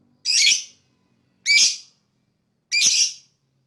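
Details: Three loud, harsh, rasping squawks from a lovebird, about 1.2 seconds apart, each half a second long; the call is said to attract other birds.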